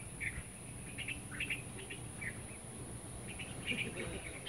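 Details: Birdsong among trees by the Great Lawn in Anvaya Cove, with short twittering chirps and brief two-note phrases spaced irregularly about every half second, set against a continuous thin high whine and soft low background noise.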